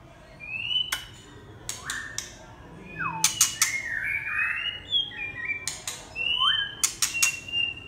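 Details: Red-whiskered bulbul giving short whistled phrases, some rising and some dropping, in bursts separated by pauses, with sharp clicking knocks between phrases.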